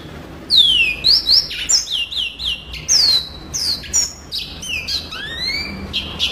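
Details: Yellow-fronted canary, song-tutor recording, giving a lively series of descending whistles and quick chirps, ending with a rising whistle, over faint background hiss.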